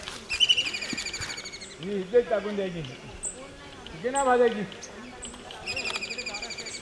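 A kingfisher gives shrill, rapid rattling trills at the start and end, with a person's voice speaking in between.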